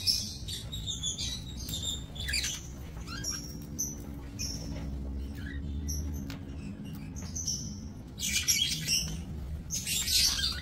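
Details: Budgerigars in a small breeding aviary, 28 November 2024, with thin whistled chirps and scratchy chatter scattered throughout, busier toward the end, over a low droning background.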